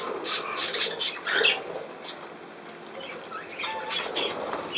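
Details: Budgerigar making soft scratchy warbles and a few short squeaks, quieter in the middle, with brief bright chirps near the start and end.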